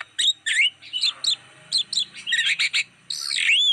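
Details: Black-winged starling song played as a lure for wild birds: rapid bright chirps and slurred whistles in quick bursts, ending with a long sweeping upward whistle over a faint low hum.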